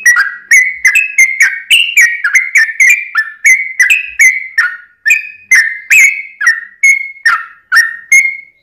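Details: Yellow-vented bulbul in extended song intended to draw other bulbuls into singing, a steady run of short fluty whistled notes, some rising and some falling, spaced irregularly and thinning out toward the end, heard clean and alone.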